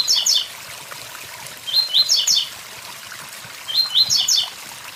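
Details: Blue-black grassquit singing beside a waterfall: a short buzzy phrase of several quick rising notes, repeated about every two seconds, over steady rushing water and faint high ticking.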